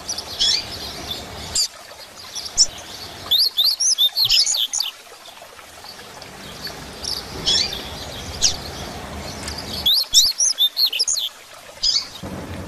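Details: Double-collared seedeater singing the Grego song style, played to stimulate and teach other caged seedeaters. Fast bursts of high, sharp, sweeping whistled notes come in phrases at about 1.5, 3.5 and 10 seconds, with quiet gaps and faint background hiss between them.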